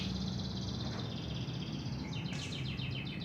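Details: Local canary singing: after two seconds of steady low hum with a faint high twittering, a rapid series of high, fast-repeating trilled notes begins and runs to the end.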